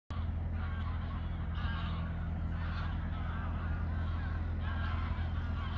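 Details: Migrating geese in flight over Koedijk, Langedijk, the Netherlands, on an August evening in 2019. Faint, repeated nasal honks rise above a heavy steady low rumble of wind or traffic.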